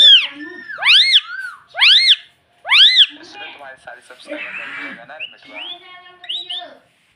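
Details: Household ring-necked parrot saying "mummy": three loud rising-falling arched syllables, then softer chattering and short upward whistles that trail off.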